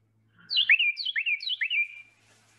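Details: A Carolina wren, resident year-round but heard mostly in spring and summer, sings three quick, loud, ringing 'tea-kettle' phrases, each falling in pitch, in under two seconds.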